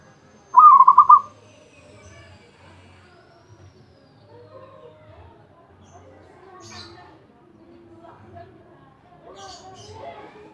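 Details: One short bubbling phrase of pulsed coos from a champion zebra dove, followed by several seconds of faint mixed chirps, murmuring and background noise.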